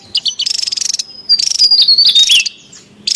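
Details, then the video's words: Javan tesia, wild and noisy: a fast ticking rattle, then a buzzy high trill with sliding whistled notes dropping in pitch, followed by a pause and a fresh rattle. "SUARA PIKAT DAN MASTERAN TESIA JAWA RIBUT DI ALAM LIAR"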